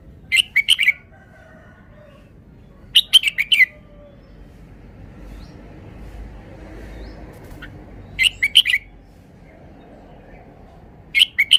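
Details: Red-whiskered bulbul singing: short bright phrases of four to five quick whistled notes, bunched and warbling, repeated about every three to five seconds, with quiet low background hum between phrases.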